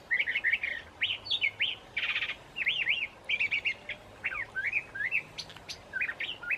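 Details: A curve-billed thrasher sings through a mild March evening in Santa Fe, New Mexico: loud, fast, jumbled phrases of rising and falling slurs, buzzy rattles and bright whistles, packed closely with short gaps between bursts.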